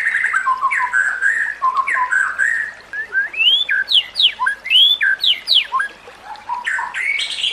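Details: White-rumped shama song for training other shamas: varied whistled phrases, some flat and wavering, others steeply rising and falling, delivered in quick bursts with brief gaps.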